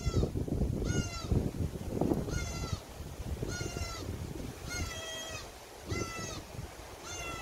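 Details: Parasitic cuckoo chick begging its magpie foster mother for food, giving a steady series of about seven strident, raspy screams, one roughly every second, with low rumbling noise underneath.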